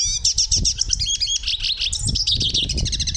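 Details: A hooded siskin sings a fast, continuous run of high twittering notes and buzzy trills, with rapid repeated chips and short whistles, over a low background rumble.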